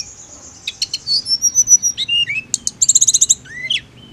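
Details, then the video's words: Mountain leafbird in a training recording meant to make the bird use only its ngirik call: loud, high, rapid bird notes, with thin sweeping whistles, short buzzy bursts, a fast stuttered series and falling slurs. "TLEDEKAN GUNUNG HANYA NGIRIK"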